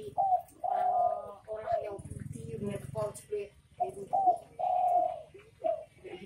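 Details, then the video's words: Spotted dove (derkuku), its call rendered locally as bekur bekur, gives two soft, mellow cooing phrases, each a short note, a longer drawn-out coo, then a clipped final note. A low rumble and voice-like sounds fill the gap between phrases. "Suara Burung Derkuku Bekur Bekur"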